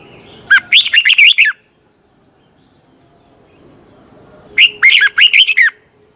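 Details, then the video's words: Red-whiskered bulbul kept as a cage bird in Thailand, singing fast training song: two lively phrases of chirpy, slurred whistles roughly four seconds apart, separated by near silence with a soft low hum. "ฝึกเสียงของคุณเพื่อทักทายกับยอดเพลงและร้องเพลงที่มีไฟอย่างรวดเร็ว นกกรงหัวจุก"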